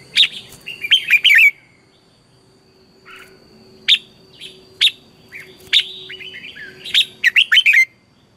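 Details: Red-whiskered bulbul in fiery morning song, recorded as lure sound for training other bulbuls: bright chirpy whistled phrases in clusters, separated by pauses and single sharp notes, ending in a quick warbling run. A thin steady tone hums behind.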